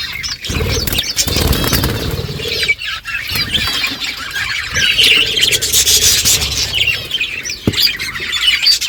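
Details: A group of budgerigars chirping while eating: rising and falling warbled notes and squeaks in busy chatter, with occasional rustling and clicks.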